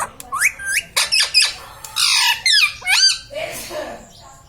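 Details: Pet green ringneck parrot indoors, a talking bird said to say mummy and papa: a string of sharp squawky syllables with bending, wavering pitch, short rapid phrases filling the clip in a small room.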